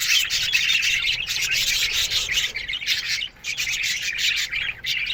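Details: Morning chatter of a budgerigar colony kept in an aviary, many birds at once producing a steady wash of raspy, high chirps and warbling notes with barely a pause.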